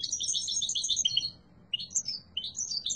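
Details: Yellow mutation European goldfinch: a quick burst of bright, jingling twitter, then a pause and several separate rising and falling chirps.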